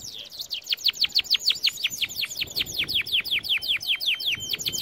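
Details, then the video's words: Canary song for training canaries: a fast series of descending whistled sweeps repeated several times a second, high and bright, with a faint tonal note underneath. "Most powerful song for training Canary"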